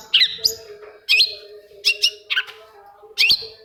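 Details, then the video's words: Long-tailed shrike song used as a lure to get silent shrikes singing: five separated bursts of sharp, high chirps and short upslurred whistles, each under half a second, spaced by brief pauses over a steady low hum. "SUARA CENDET INI BISA MERANGSANG CENDET MACET JADI RAJIN BUNYI PAGI SIANG MALAM"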